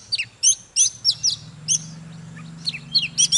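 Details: Oriental magpie-robin song: a few crisp high whistled slurs and chips, then a pause, then more sharp notes, over a steady low droning hum.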